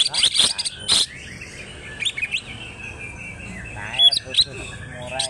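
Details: Greater green leafbird from Alas Purwo, Banyuwangi, Indonesia, singing in the local "trok bul" style while fanning its tail. Bright whistled notes, rising slurs and sharp clicks in bursts, with a quieter stretch of soft warbling in the middle.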